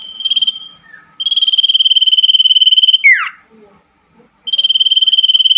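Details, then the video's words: Common iora trilling at night, offered as therapy for caged birds that went silent: a short trill fragment, then a long even pulsed trill ending in a falling slur, and another trill beginning. "terapi burung cipoh di malam hari II cocok untuk burung cipoh yang macet bunyi"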